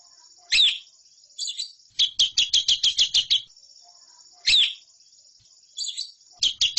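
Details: Lovebird song from a training recording for competition birds: sharp high chirps followed by quick runs of clipped repeated notes, in two similar bouts separated by a quiet pause.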